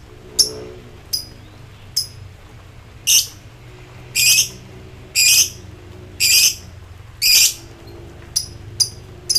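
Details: Highly excited lovebird giving ngekek song to call rivals: loud, shrill, rasping bursts repeated roughly once a second, alternating short chips and longer harsh notes, with a low background hum.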